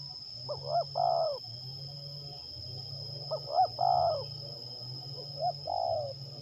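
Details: Cooing spotted dove, recorded while luring and trapping doves in Liwa, West Lampung, Indonesia; three phrases of clipped upward hoots running into a longer quavering coo, roughly every two and a half seconds, backed by shrill insects and a low rumbling drone.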